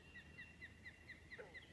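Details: At a beaver pond swamp in New Hampshire on 18 June 2020, an osprey at its big stick nest atop a dead snag gives agitated thin whistled chirps, about four each second, perhaps disturbed by a nearby grackle; a brief low voice breaks in.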